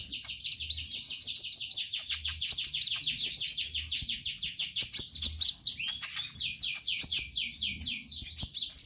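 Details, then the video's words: Continuous shrill sunbird twitter, intended to set other birds singing: quick, even, slurred chirps in a tight run that stays high and busy throughout. "KONIN GACOR BUAT PANCINGAN TROTOLAN"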